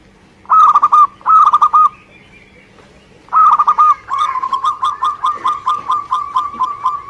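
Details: Indonesian local zebra dove singing hard. Three loud trilled, purring coo phrases come first, then a softer, quick run of about a dozen even coo notes that slowly fades.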